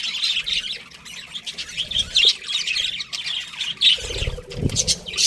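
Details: Pet budgies keep up a busy, rasping chatter of high twittering notes, broken by a few louder squeaky bursts. A low thumping or rustling noise shows up near the four-second mark.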